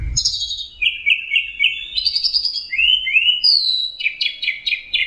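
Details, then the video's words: Punglor thrush singing on a songbird training recording full of combined fill-in phrases: rapid trills, descending slurs and rising sweeps in quick succession, each phrase different from the last. "Masteran Punglor Teler Gacor Full Isian Kombinasi Tembakan"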